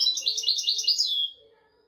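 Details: A short, brisk burst of European goldfinch song, royal-style tutor recording for training goldfinches and canaries: quick, bright, tinkling notes running together for just over a second, then quiet.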